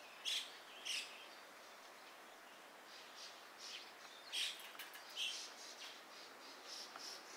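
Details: Dusky thrush (Turdus naumanni eunomus) at Gaikotsu-yama, recorded 27 January 2021, with the background replaced by separately recorded ambient sound. Short, sharp, harsh call notes come in pairs, two near the start and two more about four seconds later, over a quiet hiss.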